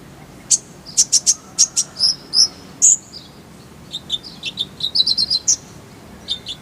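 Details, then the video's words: Sharp, bright chirps from a kolibri ninja sunbird in a full-fill tutor style. Quick notes come in two loose runs, the second lower and more jumbled, with a steady faint background hum. "Masteran Kolibri ninja full isian, Roll tembakan Suara jernih"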